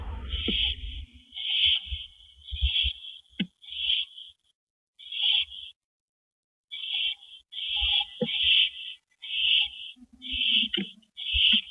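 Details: Owls at a nest at 8:15 PM on April 19, 2012, during a rabbit delivery to the mate; about twelve short, rasping hisses come in irregular runs, with a brief silence midway and light knocks and scrapes.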